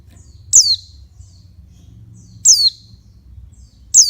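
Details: A female oriental white-eye gives calls meant to rouse males. Three bright, piercing chirps sweep quickly downward, roughly one and a half seconds apart, with faint soft notes between and a low steady hum beneath.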